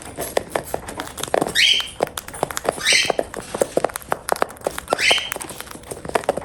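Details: Feeding pet cockatiel: three harsh, rasping, rising calls spaced roughly every one and a half to two seconds, over a continuous background of sharp clicks and pecking taps.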